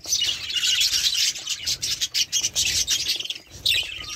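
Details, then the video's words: Budgerigar flock chatter, a steady wash of high twittering and warbled notes with brief pauses and a few sharper chirps near the end. "волнистые попугаи"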